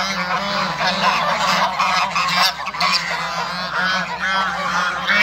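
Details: Toulouse and African geese in a backyard flock kept for hybrid breeding, many birds honking at once, a dense, brassy chorus of repeated nasal blasts running on for five seconds.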